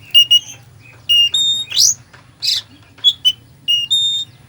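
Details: Full isian song of a kacer (Oriental magpie-robin), played to excite a sluggish bird: clear high whistles, quick upward buzzy sweeps and twittering notes in rapid succession over a low background hum.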